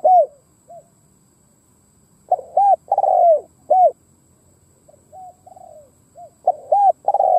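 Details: Decoy spotted dove calling to lure wild doves. Repeated phrases of rapid husky coos end in a long drooping coo, separated by soft low notes, with three phrases heard.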